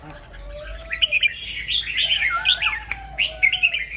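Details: Red-whiskered bulbul singing in the morning in the double and rik styles: a flowing, rapid warble of bright slurred notes, with crisp separate chirps at the start and end.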